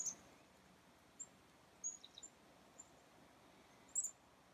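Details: A few chickadees in the cold on a winter afternoon, January 2, 2019, around 2:10 PM: scattered thin, very high short notes, some followed by lower soft notes near two seconds and a louder pair at the end, over quiet background hiss.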